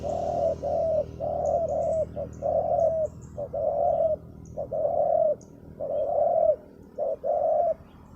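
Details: Spotted dove with a deep voice used as a decoy for wild doves on bare ground: steady mellow coo phrases, a quick note then a longer one, with brief high chirps of small birds in the background.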